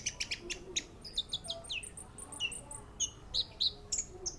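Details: At the Matroji ring an orange-headed thrush runs through quick sharp chips and descending whistled slurs, a busy sequence of high notes with brief pauses, against steady low background noise.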